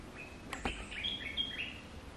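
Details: Olive-winged bulbul lure song used to attract wild birds: short clear whistled notes around the middle of the range, several brief slurred phrases after a pair of sharp clicks, over faint steady background hiss.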